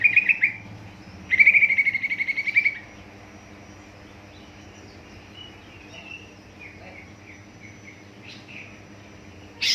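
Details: Greater green leafbird lure song for triggering young birds to sing: sharp whistled notes followed by a fast, even trill of repeated high pips, then scattered soft notes and a final loud note.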